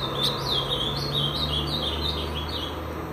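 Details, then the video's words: Captive brown-plumaged Ultramarine grosbeak singing while mounting a female right after a cage divider was opened: a run of quick, high, warbled notes rising and falling, each about a quarter second long, over a steady low hum. "Azulão pardo galando"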